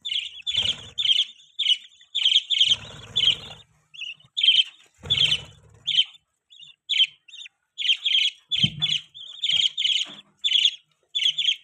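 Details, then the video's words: Continuous chatter from a pet budgie: many rapid, high, buzzy chirps in clustered groups, with occasional low thumps or rustles underneath. "budgie chirping sound, budgies chirping sounds"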